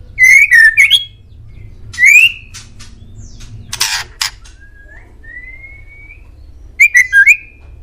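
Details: White-rumped shama song played as training material so pet birds reply: bright slurred whistles, a short rising note, then a faint long upward whistle, with a burst of harsh chatter in the middle.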